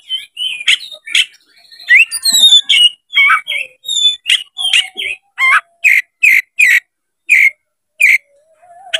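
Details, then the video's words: White-rumped shama, locally kacer, singing when provoked to fight: a fast string of bright whistled notes and harsh chips, first varied and warbled, then a regular series of loud clipped notes about twice a second. "MENCARI LAWAN TARUNG KACER CEPAT GACOR DALAM HITUNGAN MENIT DIPANCING KACER BUKA EKOR INI"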